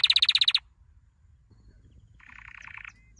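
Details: Canary training song: a fast run of sharp repeated notes, about eight in half a second, then a pause and a softer buzzy rolling trill that ends in a thin whistle.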